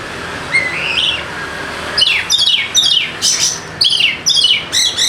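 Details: White-rumped shama, used to spur a quiet bird to sing: a soft rising whistle, then a dense run of fast descending chirps and sweeps.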